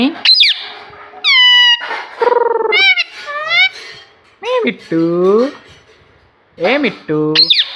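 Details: Pet talking rose-ringed parakeet indoors, mimicking the word mummy: a run of loud, harmonic, slurred squeaky phrases, some rising, some falling and bending, with short pauses between, in a small room.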